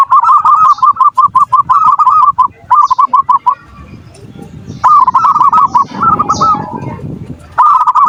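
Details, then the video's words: Perkutut or zebra dove song for luring lazy birds into calling: long runs of rapid, bubbling, repeated notes with a brief pause and a muffled rumble midway, then further note runs. "Suara perkutut pancingan birahi dan emosi,the sound of turtle doves to lure passion and emotion"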